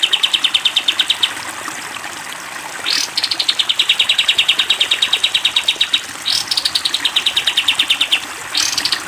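A Sooty-headed Bulbul gives long, rapid trains of high, even chattering notes, broken every few seconds by a sharp upslurred note before each new run.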